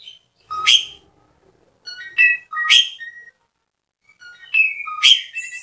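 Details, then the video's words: Asian pied starling singing energetically: three separate bursts of sharp, loud whistles mixed with short flat tones and lower notes, with silences between. "JALAK SUREN GACOR RIBUT PENGGACOR JALAK SUREN MACET"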